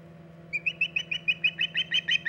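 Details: At the Hog Island nest on a mid-August 2019 late morning, an Osprey gives a steady string of about a dozen bright, slightly rising whistled chirps, evenly spaced, over a low steady hum.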